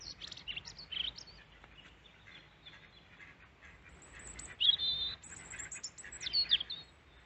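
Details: Wild European robin in Peasholm Glen, Scarborough, UK, staying close and singing after feeding from a hand; scattered high twittering notes, then louder liquid warbled phrases near the end, over a soft outdoor background.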